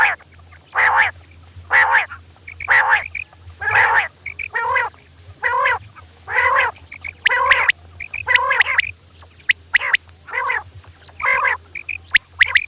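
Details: Night calls of a female rain quail, known locally as kirak: rough, nasal, rasping notes repeated steadily about once a second, with thin ticking sounds between them over a faint constant low hum.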